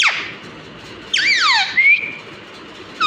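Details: Talking pet parrot imitating human speech; a squealing downward sweep, then a harmonic phrase sliding down and rising into a steady tone, with a brief sound cut off at the end.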